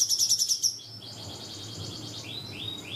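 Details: Cungkok song used to school young shamas: a loud, quick high trill, then quieter runs of faint notes ending in three soft downslurred whistles.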